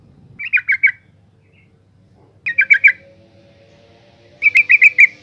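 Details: Calling female yellow-vented bulbul, used to stimulate males: three clear bursts of four to five quick, harsh bubbling notes, about two seconds apart, with a faint steady tone in the background.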